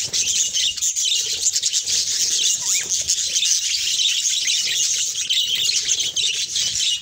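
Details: Budgerigars of several colour mutations in a breeding setting, producing an unbroken stream of busy, overlapping high warbles and chirps. The chorus is steady throughout, with a faint rising whistle in the middle.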